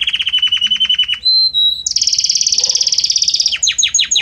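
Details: Belgian canary with a harmonious voice: a fast lower trill, a pure whistled note, a dense high buzzy trill, then a few separate sharp chirps.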